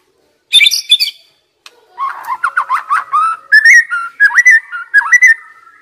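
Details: Young wild white-rumped shama song for stimulating stressed, silent birds: a high harsh burst, then a wandering series of clear whistles that step upward, slurring up and down.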